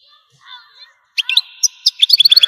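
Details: Algerian goldfinch: after a few faint low notes, sharp high chirps break out and build into a quick series of twittering notes near the end.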